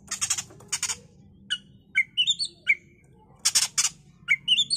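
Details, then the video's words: Oriental magpie-robin bait song intended to make a bird quickly agitated and vocal: harsh scratchy chatter bursts alternating with sweet ascending whistled note sequences that climb in short steps, repeated through the passage. "Pancingan KACER agar cepat EMOSI dan GACOR"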